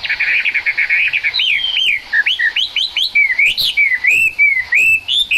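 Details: Chinese hwamei song in rain: a rapid buzzy series opens, followed by rich whistled notes that swoop up and down, each phrase repeated several times in quick succession.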